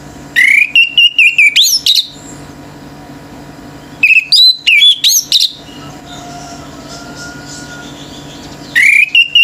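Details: Male orange-headed thrush, kept by bird hobbyists, singing intensely so other birds join in agitated: three bursts of high, rapid whistled and chattering phrases with upward sweeps, separated by pauses of about two seconds, over a steady low hum.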